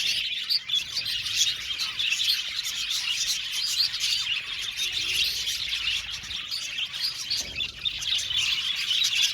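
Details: Steady, busy twittering from many budgies, high chirps and warbling notes tumbling over each other without a break for several seconds.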